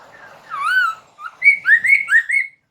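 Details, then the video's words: White-crested laughingthrush song used to prompt captive birds to sing in reply: a loud rising-falling whistle, then a quick run of bright, slurred whistled notes climbing and repeating, clean background. "SUARA PANCINGAN POKSAY MANDARIN, BIKIN POKSAY ANDA SEKETIKA NYAUT"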